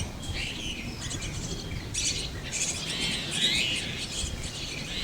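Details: Nestling Chestnut-tailed starlings inside a tree hole give a series of scratchy, wheezy rasping calls in overlapping bursts, some squawk-like, over constant low outdoor noise.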